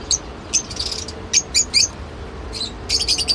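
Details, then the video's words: Lovebird giving sharp, high squeaky chirps in quick separate notes, some doubled, with a brief chattering run near the end. "love bird sounds | lovebird behavior"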